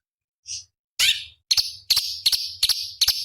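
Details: Cucak cungkok bulbul song, recorded as a master for competition birds: a faint short note, a harsh downslurred burst, then a steady run of clipped buzzy chirps about every third of a second.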